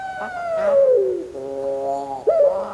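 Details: Breeding Barbary dove in active voice giving a long, low, smooth coo that slides gently downward, then a steadier held tone ending in a short wavering rise.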